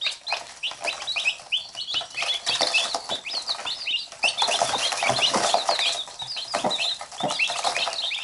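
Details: Chicks with their mother hen, nipping at her as she pecks them in return. Busy high-pitched peeping dominates, with a few faint low clucks and rustling taps.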